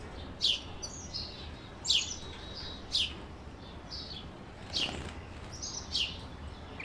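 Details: Canary, described as a white canary, giving five short, sharp, high-pitched chirps spaced roughly one to one and a half seconds apart, each a quick downward flick, over a faint steady background hiss.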